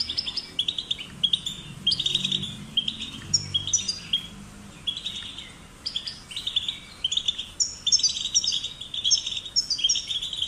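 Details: European goldfinch chicks, caged and in nature, singing to stimulate other goldfinches: rapid tinkling twitter of high, bright notes in quick bursts, with a faint low hum early on.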